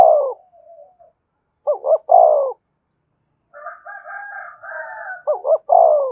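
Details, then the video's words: Decoy spotted dove cooing to rouse newly caught doves for training. Quick doubled notes alternate with drawn-out throaty coos. A longer wavering, nasal tone with a higher overtone intrudes midway. "Tiếng chim cu gáy kích bổi nhanh nổi, cu gáy mồi luyện bổi thúc sung nhất hiện nay"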